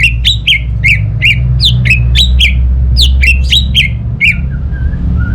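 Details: Orange-headed thrush song used as a lure to get quiet birds at home singing: a fast series of sharp, downward-sweeping whistled notes, roughly two or three per second, ending in soft lower whistles. Background hum.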